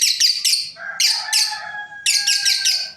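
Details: Lovebirds, a breeding pair kept indoors, giving shrill, harsh chirps in quick clusters, separated by a thin sustained whistle-like tone running underneath.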